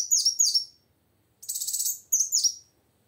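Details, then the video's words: Lively female plain sunbird song used to spur males to sing, made of quick paired high chirps with downward-bending notes, then a brief buzzy rattle and another pair of sharp tweets. "Suara Kolibri Wulung Betina Gacor Untuk Memancing Bunyi Kowul Jantan Macet"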